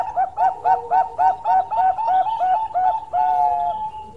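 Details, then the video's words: Bangkok zebra dove in full song, a fast string of rounded, gurgling coo notes repeated about three or four times per second, closing with a sustained level coo. "Perkutut Bangkok Gacor Suara Istimewa"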